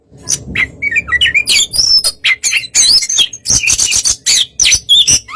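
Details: White-rumped shama singing to provoke another bird: a busy medley of chirps, squeaky whistles and harsh rattling notes, getting denser and louder toward the end over a faint low hum.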